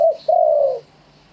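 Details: Spotted dove giving a live coo in wild-style phrasing: a short clipped note, a brief gap, then a longer smooth mellow coo that sinks slightly in pitch at the end, with a faint low hum behind.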